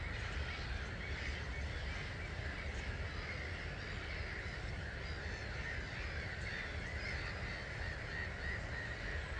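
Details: Roughly 250,000 starlings departing a roost at dawn, 05:45, 21 March 2022, at Gibraltar Point NNR; continuous overlapping chatter and squeaks from the huge flock form an unbroken hiss, with deep background rumble throughout.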